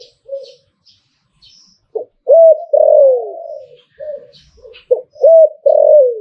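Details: ['Zebra dove performing liu tan style song: soft lead-in notes, then a hooked coo and a long falling coo, repeated twice with faint chirps in the background.']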